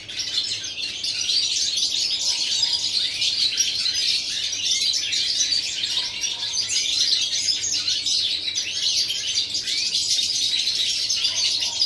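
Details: Continuous rapid twittering of a European goldfinch, recorded 11 September 2018, with bright, jingling high notes flowing without pause for the whole stretch.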